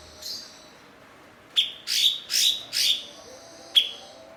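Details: Blue-winged leafbird, a fluent imitator used as a master bird for training songbirds; after a faint note and a pause, a sharp chip leads into three rich swelling notes and a final clipped chip.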